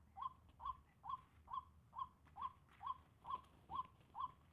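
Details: White-breasted waterhen giving a steady series of short mid-pitched notes, each with a quick rise and fall, about two per second and evenly spaced, over a soft low background hum.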